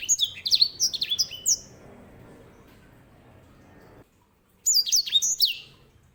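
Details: Grey singing finch sings a quick phrase of high descending slurs, falls silent for about three seconds under low background hiss, then resumes with another bright twittering phrase.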